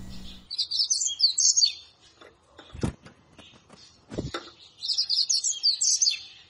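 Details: Yellow-bellied Seedeater song from Brazil: two bursts of rapid, high twittering warbles about a second and a half long, with a few low thumps in the gap between them.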